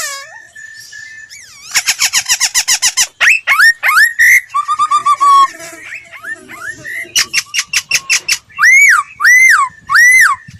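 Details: Laughingthrush voice-training lure song: a steady whistle, then quick trains of repeated chips, downslurred whistles, rapid rattling runs and closing loud arched whistled notes, repeated about once per second.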